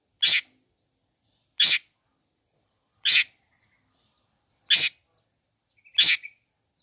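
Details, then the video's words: Grating scold-like rasps of a long-tailed shrike used to provoke rival shrikes: five short, broad, hissy bursts at irregular intervals of about one to one and a half seconds. "Bikin Cendet Loyo Kurang Emosi Agar Segera Terpancing Emosi &Ikut Bunyi"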